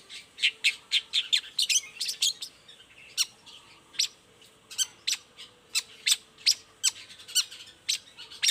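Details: Long-tailed shrike's morning song, played as a lure so silent shrikes answer back. Dense, scratchy chatter and fast downslurred chips at first, then spaced harsh notes about twice a second over a faint steady hum.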